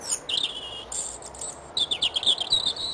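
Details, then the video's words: European robin singing in a hawthorn tree at Edgcumbe, Wendron, Cornwall, on a cold grey morning, 25 January 2015: thin, high, liquid phrases, a sweet drawn-out note, pause, then tumbling trills; a rival's answering song is faintly audible when he stops. "Robin Singing His Heart out"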